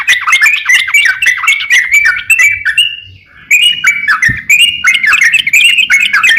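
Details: Crocokan song meant as a master for training songbirds, with fast sharp chirps and slurred whistles, a brief lull midway, then a return of busy chattering phrases.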